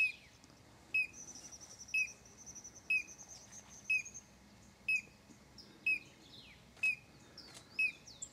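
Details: Collared crescentchest in São Desidério, Bahia, north-east Brazil, December 2012: a short, sharp note with a hooked tail, repeated about once a second, over a thin high hiss and a few scattered notes from other birds.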